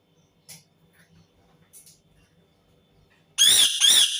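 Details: Screaming Indian ringneck parakeet: after three seconds of faint background shuffling and soft squeaks, two loud, grating screeches follow in quick succession, harsh and strongly harmonic, in a small indoor space.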